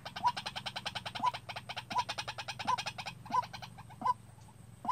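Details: Decoy white-breasted waterhen being trained to call on its own for trapping: short sharp notes repeated roughly once a second, irregularly, over a dense background of rapid ticking clicks.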